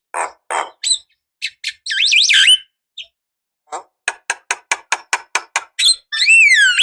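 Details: Javan myna recording used as a lure to make other mynas answer: harsh broadband notes, a twisting warbled whistle, then a quick run of about ten clicky chattering notes, ending in a loud descending whistle; quiet background.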